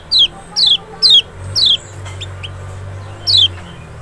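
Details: Kecial white-eye, Zosterops chloris maxi from Lombok or Sumbawa, used to draw a response from an unwilling singer; four quick, shrill descending notes in rapid succession, a short gap, then one more.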